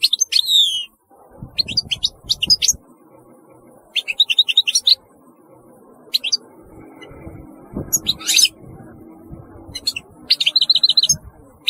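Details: European goldfinch giving repeated bright, tinkling song phrases separated by short gaps, some notes sweeping down, over a steady low rumbling background noise.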